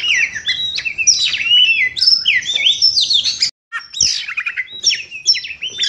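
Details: Oriental magpie-robin singing energetically after moulting: loud, rapid, varied phrases of sweeping whistles, buzzy slurs and squeaky notes pouring out continuously, a brief break near the middle, then the song resumes.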